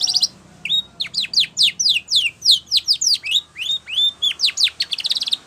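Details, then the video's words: Spanish Timbrado canary training song, a brief buzzy burst first, then rising whistles and a long run of quick descending notes repeated several times a second, closing on a rapid trill. "Sound Of Canaries / Spanish Timbrado song For Training"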